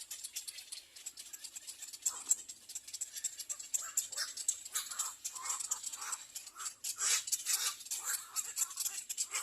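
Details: Nestling little egrets begging for food: rasping, scratchy screams come in quick uneven bursts, some rougher and louder, over a continuous high-pitched rattle at the nest.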